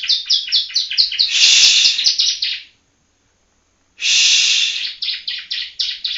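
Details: Young yellow-bellied prinia from Palembang learning to sing: quick runs of high chirping notes, broken by loud buzzy, hissing bursts, a pause of about a second, then another buzzy burst and more rapid chirps.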